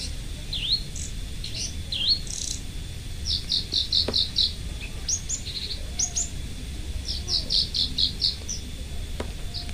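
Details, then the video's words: Local Indonesian lark, kept as a loud, lively singer, delivering high thin whistles, swooping V-shaped slurs and fast runs of clipped chirps in rapid bursts, over a low constant hum. "Branjangan Parva Gacor Volume Keras"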